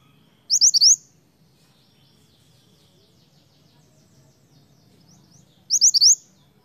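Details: Snowy-browed flycatcher singing energetically, used as a lure for other flycatchers: two short phrases of four sharp, high, upslurred whistles about five seconds apart, with faint chatter and low hum between.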